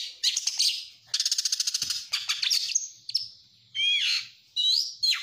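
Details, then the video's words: A stressed oriental magpie-robin sings loud, high, varied phrases: harsh buzzy bursts, a rapid rattling trill, then slurred whistles rising and falling. "Kacer Stres"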